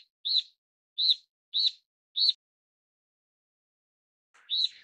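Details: Steere's liocichla (Liocichla steerii), a Taiwan endemic of broadleaf forest and scrub at 1000–2800 m, gives four short, slurred whistled notes, each slightly rising then falling, about half a second apart, then one more after a pause.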